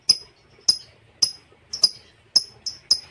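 Shrill, sharp lovebird chirps, seven in about three seconds at a steady, slightly uneven pace, each a high piercing note with a brief ringing tail.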